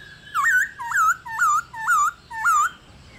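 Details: Female black-throated laughingthrush, a mature wild-caught bird, calling to stimulate males to sing: five clear, slurred whistles, each dipping then rising, repeated about twice a second over a quiet background.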